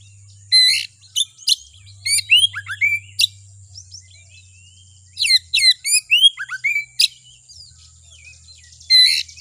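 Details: Oriental magpie-robin (kacer) lure song meant to make kacer emotional and singing; clusters of sharp chirps and falling whistles in two bursts, quiet twittering between, low humming background.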